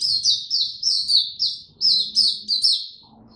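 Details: Oriental white-eye, caged, singing tiong aw style on 25 January 2022: a lively chain of high, sweet, downslurred notes at a quick tempo, fading out near the end with faint room noise.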